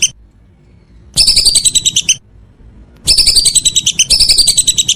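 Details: Evening calls of a whistling duck: two long runs of shrill, high whistled notes in fast succession, separated by a second of near silence, with light low background noise.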